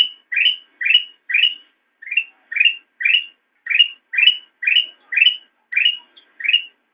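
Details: Black-crested bulbul master song for schooling captive songbirds, about fourteen bright rising whistled notes delivered in a quick, fairly even rhythm, with only a short gap near the start.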